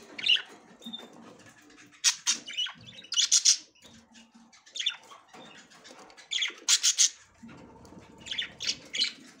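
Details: Budgerigar, a female trying to enter the nest for the first time: bursts of harsh, high chirping chatter come in short clusters about every two seconds, with quiet scratchy gaps between them.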